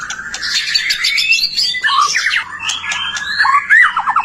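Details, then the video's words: White-rumped shama singing to provoke other shamas into song: dense overlapping whistles and chattering phrases, ending with quick downward-slurred notes. "Suara murai batu gacor AMPUH buat PANCINGAN murai batu agar BUNYI"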